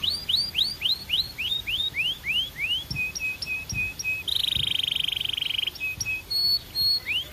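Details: A Belgian canary sings a string of rising upswept whistles, then short flat notes, a long buzzy trill and scattered bright chirps, with a few soft knocks in the background.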